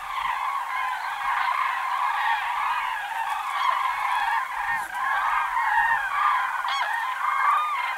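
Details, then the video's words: A big flock of common cranes in autumn fills the air with steady, overlapping rolling trumpet calls, a constant clamour with no pauses. "Bird sounds - COMMON CRANE in autumn"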